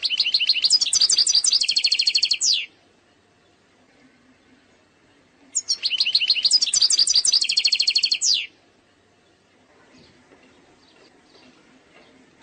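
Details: European goldfinch from Algeria, eastern-sector song style, said to be flawless: two dense phrases of about three seconds each, made of fast tinkling notes and a buzzy trill, separated by a quiet gap of roughly three seconds.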